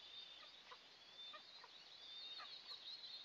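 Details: Eastern imperial eagle nest with two eaglets at the day's first breakfast, June 29, 2024, picked up by a nest camera. Thin, high whistled squeals drawn out and wavering, with short downward chirps, against a hissing background.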